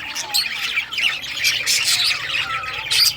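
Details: Rare-coloured budgerigars chirping as they play with toys, 18 June 2023: lively warbled chatter with short rising whistles and scratchy squawks, plus a faint low hum underneath.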